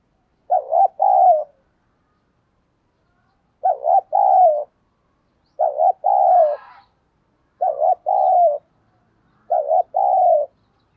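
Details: Luring call of a decoy spotted dove, thổ sấm voice. Five clean, evenly spaced phrases, each a short twin note and a long mellow coo, separated by near silence about every two seconds.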